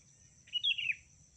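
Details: Sooty-headed bulbul female calling for a male, a lure recording: a single brief warbled note group that rises, then tumbles down in pitch, with a thin constant high tone and soft low hum behind it.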